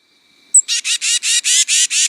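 A Tufted Titmouse gives one thin high note, then seven harsh, raspy, whiny notes at about four per second, like a chickadee's call but without its clear quality.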